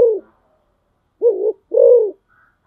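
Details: Spotted dove used as a decoy bird, giving low cooing notes: a clipped coo at the start, then after a pause two deep coos, the second longer and steadier, with no other sounds.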